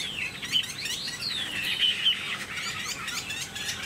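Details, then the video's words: Caged pure-bred Chinese hwamei sings a fast, rich run of loud whistled phrases, sweeping up and down with sharp slurred notes, over a light background hiss. "Họa Mi"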